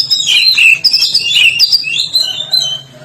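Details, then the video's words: Medan white-rumped shama singing vigorously with strange notes: a loud, varied run of clear whistles, slurred rising and falling phrases and short squeaky notes packed closely together. "Murai Medan Gacor Suara Aneh"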